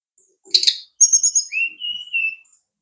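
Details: Brown-chested jungle flycatcher: one rasping click, then a fluttering run of high whistled notes dropping into a lower, smooth, drawn-out warble.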